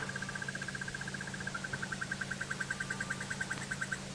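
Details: A hidden, unseen Crested Barbet calls from a thicket during a 6:00 AM sunrise safari drive on 19 September 2017 at Djuma, Sabi Sand, South Africa: a long, even, rapid trill of pulsed mid-pitched notes, over engine hum and insect ticking.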